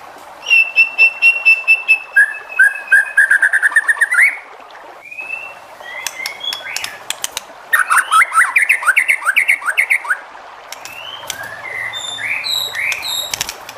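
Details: White-rumped shama song played to provoke other shamas into singing: varied clear whistles, rapid repeated chips, upward-sweeping and slurred notes in quick bursts, with a low hum near the end.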